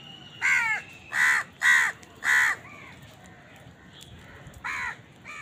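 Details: A crow feeding amid rivals for food gives four loud, rasping caws in steady rhythm about half a second apart, followed by softer, fainter caws.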